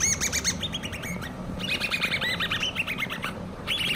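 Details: Hand-reared common babbler chicks producing fast, continuous sequences of harmonic chirps. Several voices overlap into a busy, scratchy twittering with brief breaks, over a faint low background noise.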